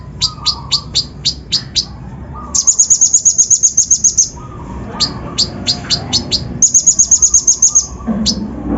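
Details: Lure song of a kolibri ninja sunbird, full rough mimicry aimed at raising other birds' aggression: quick runs of high sharp chirps alternating with two fast shimmering trills, with a faint low rustle near the end.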